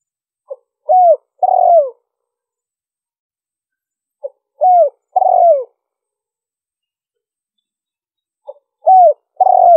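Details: Spotted dove cooing, recorded to lure wild birds: a three-part phrase (short faint note, clear falling coo, longer rough descending coo) given three times, about every four seconds, with silence between.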